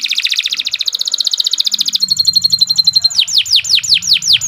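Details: Canary performing a long energetic song for bird training: a rapid pulsing buzzy trill, a quick high rattle, then repeated loud downward-swooping whistled notes, with a faint low hum behind.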